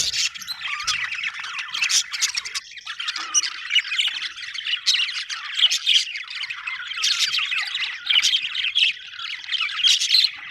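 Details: Steady, busy budgerigar chatter of buzzy warbles, clicks and squeaky chirps running without break, like a contented flock chirping together.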